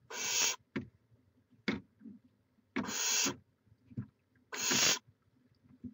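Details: Barn owl at a nest in Chula Vista, California, on a live nest camera, May 2017, giving loud raspy hissing screeches about half a second long, spaced a second or two apart, with faint scratching and rustling between them.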